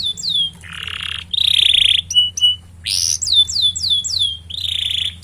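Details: Canary singing a long, varied song used to prompt other canaries: buzzy nasal phrases mixed with short flat whistles, then a series of sharply descending whistled notes.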